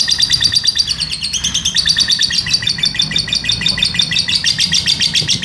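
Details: Lovebird delivering a long ngekek, a continuous high chattering trill of rapid buzzy pulses, kept up without a break for the whole stretch. The recording serves as a master for training other lovebirds. A low room rumble sits underneath.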